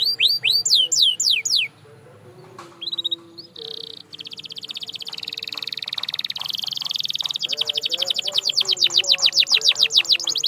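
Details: Canary song played to help canaries sing better and louder. Falling whistled slurs open, then a buzzy rattle, a steady high trill and fast repeated sweeping notes, with a low chirping background.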